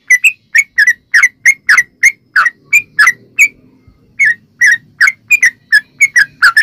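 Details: Yellow-vented bulbul in long 'ropel' rapid-fire song, played as a lure to make other bulbuls sing: loud, bubbly, chuckling notes repeated in quick bursts, briefly pausing before resuming, over a faint low hum.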